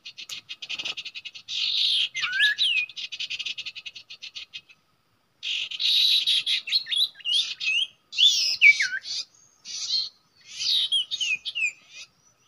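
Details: At a usual nesting site used for trapping, a common iora gives long runs of rapid buzzy chatter mixed with downward whistled slurs, with a pause midway.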